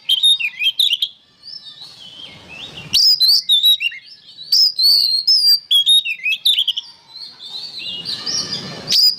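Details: Oriental magpie-robin song used as training material for songbirds: a rich, varied run of clear whistles, slurred rising and falling phrases, and sharp chips, broken by brief harsher rasping passages.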